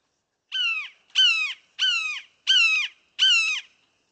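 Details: Red-shouldered hawk giving five loud, harsh, slightly down-slurred "kee-ah" screams, evenly spaced about two-thirds of a second apart; this hawk calls many times in a row, whereas blue jays mimicking it usually give only a couple.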